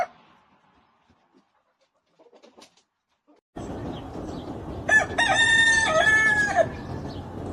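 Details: Farm rooster crowing: near silence with faint clicks, then steady background noise sets in, and a clear, loud harmonic crow of about two seconds rings out with slight wavering at the end.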